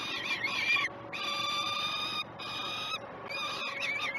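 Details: Peregrine falcons during breakfast feeding on the Great Spirit Bluff live cam, morning of 21 June 2018; wavering chattering notes lead into long steady rasping screams.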